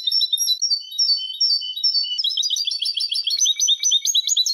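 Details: European goldfinch singing, recorded for teaching young birds: a flowing string of high, slurred whistled notes that gives way to a rapid, crowded run of tinkling twitters and trills.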